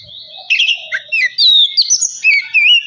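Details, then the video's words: Kacer song played to provoke birds into singing: an Oriental magpie-robin gives loud bright whistled slurs, upward and downward sweeps and twittering notes in quick succession. "Kacer males bunyi jadi gacor 🔥 pancingan Kacer biar cepat gacor dan emosi"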